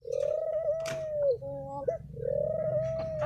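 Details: Spotted dove singing in the thổ pháp style, used to provoke young males, males and females: two long, bowed, mellow coos with a short hiccup note between them, each swelling and then sliding down at the end.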